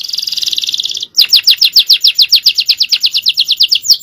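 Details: Male canary with full-power song: a dense buzzy trill, brief pause, then a long fast run of repeated downward-slurred whistles.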